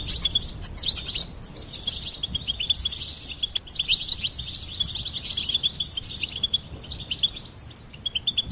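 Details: Continuous goldfinch song, dense high twittering with tinkling trills and rapid chips throughout, loudest in the first second, barely pausing, above a faint low background noise.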